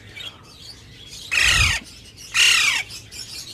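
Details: Two loud harsh squawks from breeding cockatiels, each a grating falling note about a second apart, over a low hum and faint chirping.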